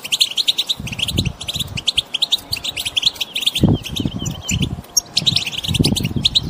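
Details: Collective chirping of wild European goldfinches, played to make a non-singing goldfinch sing: quick series of bright, high twitters and short slurred notes, interrupted by a few low thuds.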